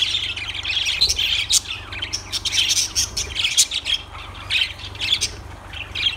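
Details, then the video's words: Lovebirds give rapid, piercing chirps and short squeaky notes in uneven bursts, with a low background hum. "Lovebirds Sounds Birds Singing Birds Sounds"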